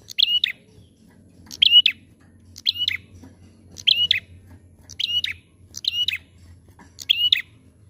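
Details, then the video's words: A lively prinia sings bright, high, chirping phrases of a few sharp notes, repeated about every second, over a faint low hum. "PANCINGAN PRENJAK GACOR"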